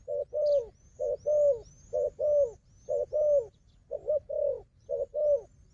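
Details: Combative wild dove versus a decoy dove: repeated coo pairs roughly every second, each a clipped note then a longer falling one. Faint high, upslurred chirps from other birds are audible.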